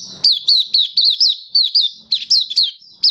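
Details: A Malaysian white-eye sings in warm, sunny Singapore weather, March 2023: a fast string of bright, high, down-slurred tweets, roughly four each second, with short gaps between clusters.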